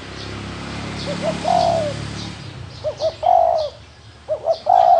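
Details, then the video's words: Wild spotted dove cooing: a soft hum, then phrases of two quick rising hoots leading into a long steady coo that sags at the end, repeated three times. "Tiếng chim cu gáy thổ đồng gù"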